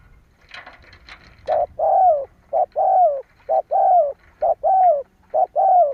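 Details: Spotted dove cooing, used as a lure to provoke other doves to call; several short low cooing notes repeated about once a second, some bending downward, after a few faint rustling sounds.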